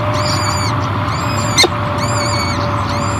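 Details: Peregrine falcon at the Great Spirit Bluff nest in 2023, where the female Savanna feeds her new hatchlings: three high, thin, harmonic squeals, each about half a second, roughly one per second, over a steady low hum and a sharp click.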